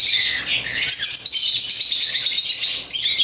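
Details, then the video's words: African lovebirds playing with toys produce a constant shrill, squawky chatter, high and harsh, with a brief pause near the end. "Love birds chirping & playing toys"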